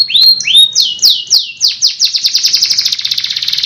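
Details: Caged canary singing a long rolling song: a few slurred whistled notes, then descending sweeps that speed up into a rapid, even trill lasting the rest of the phrase.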